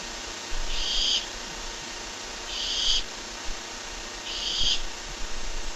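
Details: Barn owl on a live nest-area camera, three loud rasping screech-hisses each lasting over half a second, spaced nearly two seconds apart, with light background hiss.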